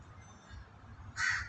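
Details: A crow gives a single harsh, raspy caw near the end, heard while a flock of white pigeons feeds nearby; steady low background rumble throughout.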